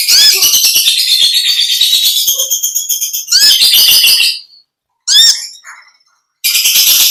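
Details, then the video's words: Olive-backed sunbird, long ngekek trill: a rapid, steady series of shrill, buzzy pulses lasting over four seconds, then a short burst after a pause and another trill at the end. "Original sound konin kolibri ninja suara lb ngekek panjang gacor"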